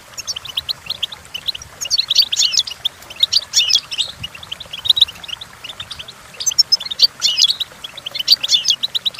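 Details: Goldfinch song meant for training goldfinches to sing, a lively run of high chirps and liquid trills rising in intensity in short phrases.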